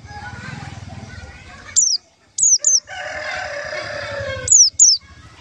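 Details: White-eye call used as a trapping lure: thin, piercing downslurred whistles in pairs and a trio, with a rooster crowing loudly in the background and low rumbling noise throughout.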